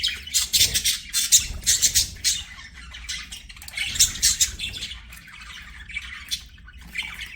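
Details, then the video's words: Budgies singing and playing, bursts of shrill chirps and squeaky squawks in the first half, then softer, sparser twittering toward the end. "BUDGIES SINGING PLAYING"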